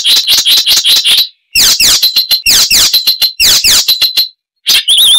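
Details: Icterine warbler pouring out a loud, varied song: clustered bursts of chattering notes and steeply descending slurred sweeps, phrases separated by brief silences, one high wavering whistle at the end.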